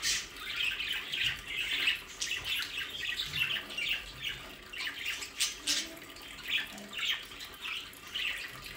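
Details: Several captive budgerigars in their aviary play area near The Hague, South Holland, Netherlands, give steady high chirps and squeaky warbles. Faint splashing sounds run underneath.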